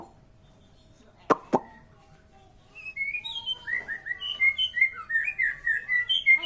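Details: White-rumped shama singing an unusual song: after two sharp clicks, a fast run of varied whistled and chirping phrases, rising and falling, delivered in rapid succession for several seconds.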